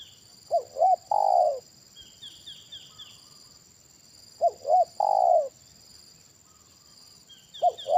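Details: Spotted dove with a big-voiced 'kuk satu' style, calling during a trapping session with a decoy bird: two phrases, each two short rising coos then a long drawn, falling coo, over a steady high insect-like whine.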